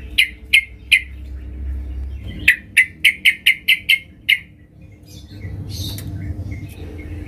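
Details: Female sooty-headed bulbul calling the male: a series of short, bright, clipped notes, three spaced calls then a faster run of about eight evenly repeated notes, followed by rustling and faint background noise.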